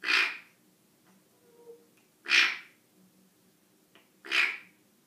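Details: African grey parrot making funny noises: three sharp, sneeze-like huffs, each brief and noisy, spaced roughly two seconds apart in a quiet room.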